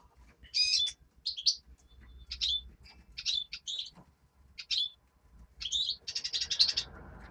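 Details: Nestling greenfinch giving buzzy, chirping notes in regular bursts, building to a rapid rattling series of calls toward the end over a low hum.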